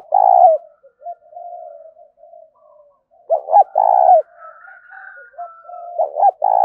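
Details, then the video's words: Spotted dove performing 'thúc' cooing. Low, hollow phrases repeat, each two short hoots and a long held note, with softer trailing coos and faint higher calls between them. "Tiếng chim cu gáy thúc cực đỉnh vang cả buôn làng"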